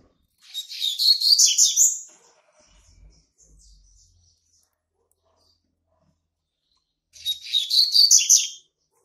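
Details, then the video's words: Young male Double-collared Seedeater, hatched March 2019, marking its territory: two separate bursts of rapid, high, scratchy twittering about six seconds apart, with near silence and a faint low rustle between them. "COLEIRO PARDO QUERENDO JÁ MARCAR SEU TERRITÓRIO"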